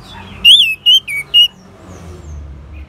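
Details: Orange-headed thrush singing, a sound meant to draw song from other birds: four clear whistled notes, the first rising and falling, the others short and level, each separated by a brief pause.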